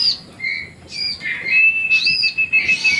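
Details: Baby Olive-backed sunbirds calling as they are fed, a busy stream of sharp, high squeaks and chirps with one long, steady piercing note held in the middle.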